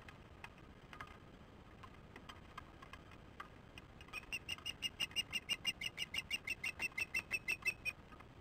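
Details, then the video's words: Osprey back at its nest, watched by a nest camera on 09/10/15 at 14:23 ET, calling before flying out; halfway through, a steady train of piercing whistled chirps begins, about three per second, over a soft hiss. "returned to the nest calling and fly out"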